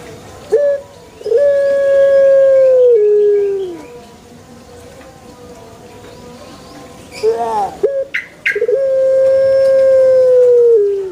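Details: Two crows from a pelung chicken among banana trees, each opening with short notes, then holding a long level tone that steps lower before fading, with a short quavering passage between them.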